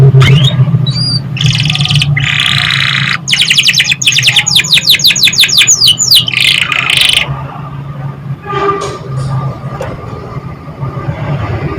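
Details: Young canary lure song: after a short whistle, a long energetic sequence of buzzy rolls and rapid repeated downsweeping notes runs for about seven seconds, then fades to soft scattered chirps over low hum.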